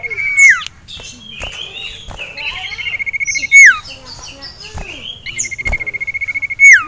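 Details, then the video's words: Male sirtu (cipow), caged, agitated at seeing a rival male and a female: long rapid pulsed trills at steady pitch, each ending in a loud sharp down-slurred whistle, with varied chirps and warbles between. "CIPOW Ngamuk Melihat SIRTU JANTAN Dan Betina"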